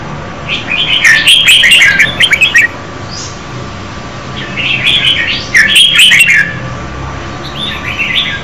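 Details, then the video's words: Female red-whiskered bulbul singing to stimulate a male: bright, warbled chattering phrases of quick rising and falling notes, delivered in three bursts separated by short pauses, over a steady low hum. "Chào mào mái hót kích trống Red-whiskered female"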